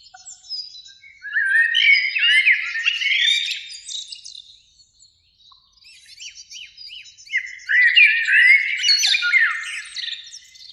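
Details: Two blackbirds singing in a springtime beech near a lake under evening sun: two loud warbling phrases of rich fluted notes ending in squeaky twittered flourishes, separated by a quieter few seconds of thin high chips.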